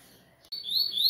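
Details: Brief burst from a coleiro (Double-collared Seedeater) raised at a breeder: after a moment of quiet, thin high whistled phrases sweep up and down and grow louder toward the end.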